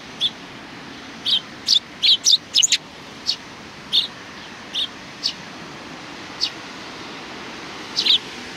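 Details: Several Eurasian tree sparrows greet an arriving person on 27 July 2020 with short, sharp chirps around a scattered cluster in the middle, then sparse single notes, over a steady low background hum.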